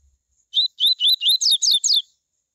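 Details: Double-collared Seedeater, or coleiro, giving its "tui tui" song, played to warm up other coleiros: a whistled opening note followed by five rapid slurred notes, climbing and then tumbling into a tangled, bright, high-pitched finish.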